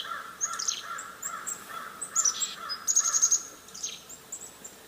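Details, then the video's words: Black-capped chickadee mobbing call, an anti-predator alarm given when agitated by a predator: high thin whistled notes and short rapid series of chips over a low hiss, with buzzy harsher notes mixed in. "of my favorite examples, and I know we have so many ornithologists in the room, so many of you may be familiar with this, is the mobbing call of the black-capped chickadee. So I'll play that for you."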